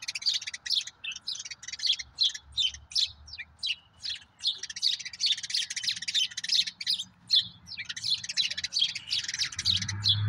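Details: Common grackles, two brothers, gobbling walnuts left in a secret yard spot, bird cam recording; steady chatter of thin, high chirps and squeaks, roughly two and a half per second, with low rumbling noise near the end.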